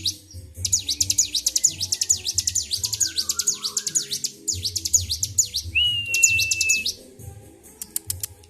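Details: Agitated Bar-winged prinia singing continuously, 26 February 2023. A rapid string of high, piercing, down-up notes runs in bursts, broken near six seconds by a level, steady whistle, with faint low hum beneath.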